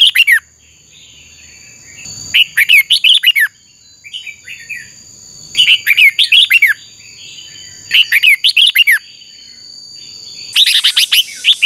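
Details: Red-whiskered bulbul in contest-style training song. Five separate phrases of fast, rich whistled notes are spaced a couple of seconds apart, with a steady high tone and soft twitters between.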